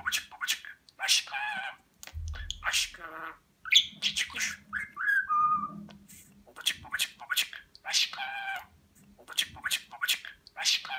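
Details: A talking budgerigar in Rize, 2020, voices taught words such as 'Babacık' and 'Aşkım' in a word-training montage. Harmonic speech-like bursts alternate with a short falling whistle, a low thump and repeated chattering phrases.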